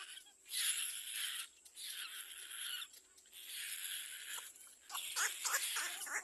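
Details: Little black cormorant chick at its nest crying loudly as another bird approaches: harsh, wheezy, broadband cries about a second long, repeated four times with short gaps.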